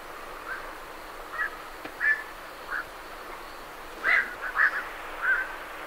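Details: Night herons calling on leaving the roost: a run of short, gruff 'quok' croaks, sparse at first and then bunched into a rapid cluster, with great reed warblers in the background.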